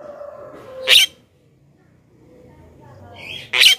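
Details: Lure call of a Black-winged myna, meant to attract wild birds: two short, loud, rasping screeches nearly three seconds apart over a faint steady hum.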